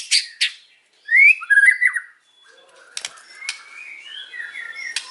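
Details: Afternoon white-rumped shama phrases: sharp chips, then looping whistled notes, followed by softer thin whistles and scattered clicks.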